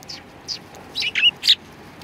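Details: Sparrows arriving to be fed at a Tenmangu shrine on 7 February 2020. Two soft high chirps, then a quick cluster of three louder, sharp tweets in under two seconds.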